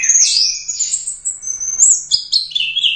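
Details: Champion orange-headed thrush from the Royal Cup competition singing a continuous, loud run of high, sliding whistles and rapid varied twitters, packed tightly together.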